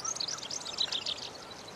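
A splendid fairywren gives a very high, rapid reel of thin, tinkling notes for about a second, then fades against a soft hiss of background noise.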